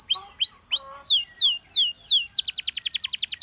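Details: Gloster canary singing to encourage other canaries to sing: loud, clear downward-sweeping whistled notes repeated about twice a second, then a fast rapid trill of short rising notes.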